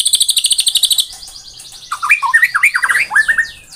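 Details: Fast high pulsed trill of about fourteen notes from a white-rumped shama in tembakan rapat style, followed by a lively string of lower rising and falling whistled notes.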